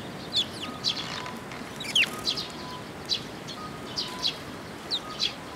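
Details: Eurasian tree sparrow fledglings arrive at a post for food, Tenmangu shrine, 1 June 2022. Clear high chirps, often paired, recur roughly every half second, with a faint steady tone beneath.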